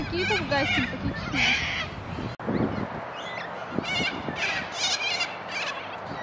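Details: Cockatoos in Australia, numerous and sometimes almost hand-tame: loud rasping squawks with nasal harmonics at the start, then scattered hoarse calls over continuous background noise and low rumbling.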